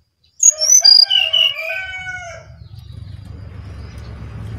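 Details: Brown-chested jungle flycatcher from Bali in full song. A rich whistled phrase falls in steps from piercing high notes to drawn-out lower tones with ringing overtones, then fades into a steady low mechanical hum.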